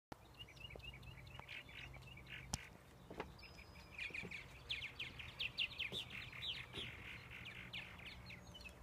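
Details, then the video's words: Purple martins chatter in a steady stream of liquid, gurgling chirps and croaks, rising into a busier burst midway, over a low background hum. "More Purple Martin song"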